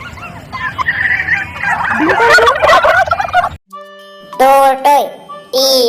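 A turkey gobbles in a rapid, bubbling, descending rattle, followed by a voice naming the bird.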